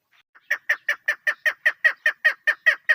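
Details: Clucking call of a female chukar partridge kept for hunting: a couple of faint notes, then a steady rapid train of rough, even chuck notes repeated several times a second.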